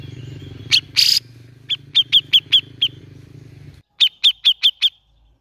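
A grey-cheeked bulbul gives quick runs of about five sharp, high chirps, with a short pause between runs. A low mechanical hum and one brief rustle are heard early on.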